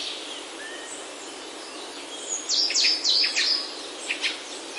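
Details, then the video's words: Birdsong in a Himalayan oak forest, Himachal, India: after a hushed start, a burst of quick high chirps and sharp notes, then a few scattered calls over constant background hiss. "Himalayan Oaks Alive with Birdsong"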